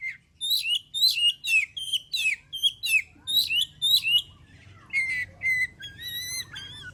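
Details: Oriental magpie-robin song meant to make other birds sing: a rapid rhythmic series of around twelve harsh, chattering notes, then softer clear whistles and a long sweeping phrase.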